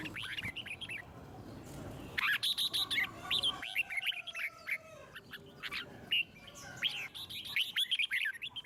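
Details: Song of a red-whiskered bulbul meant to encourage other birds to sing: bright, bubbly whistled notes in fast runs, loud clustered phrases after a quieter opening, continuing in repeated bursts.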